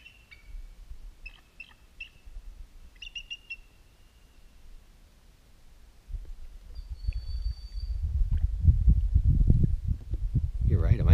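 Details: Bald eagle heard from a canoe paddling back from Lows Lake on the Bog River Flow, Adirondacks, New York: bursts of high, stuttering chattered notes over the first three seconds, a thin whistle later, then loud wind and paddling rumble.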